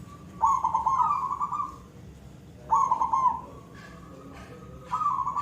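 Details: Silver-type zebra dove singing actively in the koong style: three bubbling, rolling phrases, each about one to one and a half seconds, every two to two and a half seconds, pitched mid-low with a steady trailing tone.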